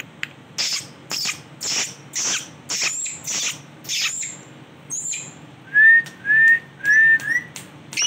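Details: Male rose-ringed parakeet uttering a series of hoarse, hissy bursts roughly every half second, then four clear, short, slightly rising whistled notes in quick succession.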